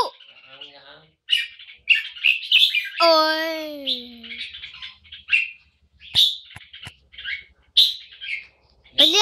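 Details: Poi Sian style song from a red-whiskered bulbul: rapid, bright, whistled-warbled phrases, while a man talks loudly and laughs over the bird in the middle of the clip.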